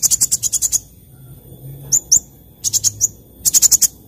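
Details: Active sunbird song in the morning: a rapid run of high pulsed notes, a pause, two sharp downslurred chirps, then further short bursts of fast, very high chattering notes.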